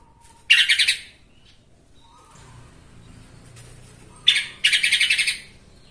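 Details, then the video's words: Yellow-vented bulbul lure recording to stir rival bulbuls into song: two short bursts of rapid, grating chatter a few seconds apart, separated by quiet with a faint low hum. "TRUCUKAN EMOSI BONGKAR ISIAN❗BIKIN TRUCUK LAIN SEKALI DENGAR AUTO KOAR KOAR❗"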